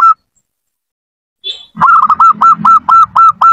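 A zebra dove sings a quick run of short, hollow cooing notes, about four each second, after a brief opening note and a pause.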